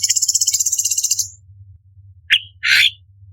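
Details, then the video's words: Orange-bellied leafbird in a contest tutor recording: a high pulsed trill for over a second, silence, then a single clipped chirp and a harsh, buzzy, scratchy note. Faint low hum throughout. "Cucak Cungkok Istimewa ~Tembakan Istimewa Pedas - Burung Masteran Lomba - Orange Bellied Leafbird"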